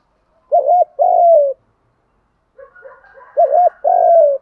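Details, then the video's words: Spotted dove 'kích bổi' coo for training doves to coo, both sexes: two phrases of a rapid wobbling double note and a sustained falling coo, the second preceded by faint chattering notes. "tiếng chim cu gáy kích bổi nhanh nổi và gáy theo cả ngày"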